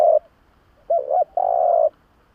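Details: Spotted dove coo used to lure doves: a brief coo, a wavering double note, then one long steady low coo held for about half a second.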